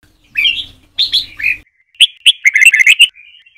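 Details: Red-whiskered bulbul singing in the Trà My style with long sổ bọng phrases, used for training birds to learn song: slurred whistled notes, then a fast bright chattering run of about a dozen notes, with a faint low hum early on.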